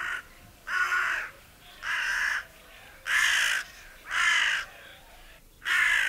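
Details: Foraging hooded crows in a meadow, one pecking at an acorn as another watches; five hoarse, rasping caws spaced roughly a second apart over a soft background hiss.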